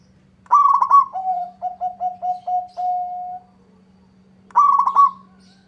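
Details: Local zebra dove singing vigorously while answering a rival. A rolled, fluttering opening note leads into about six short staccato coos at lower pitch and a drawn-out final coo. A second rolled opening follows. Faint steady hum.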